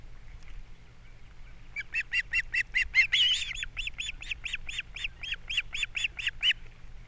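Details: ['Wild osprey pair nesting on Captiva, 3 April 2022, during a morning fish delivery and chick feeding: a long, even series of about twenty rapid whistled chirps, briefly overlapped by a harsher squeal near the middle.']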